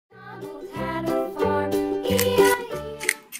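Children's music plays throughout, with harmonic instrumental notes in a bouncing rhythm and no animal sound.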